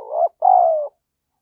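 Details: Spotted dove cooing to stimulate other doves: a short rough note that rises at its end, then a drawn-out mellow coo sinking slightly before stopping abruptly.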